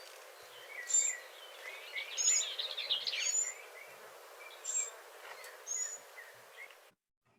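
A fledgling Northern Mockingbird gives very thin, high seet notes, spaced irregularly, with a brief buzzy burst among them against a steady background hiss.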